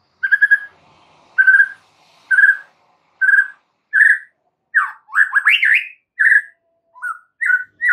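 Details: Master recording of a white-rumped shama for training caged birds: steady whistled notes repeated about once a second, then a quick tumbling flourish of upward-sweeping and warbled phrases before the repeated whistles resume.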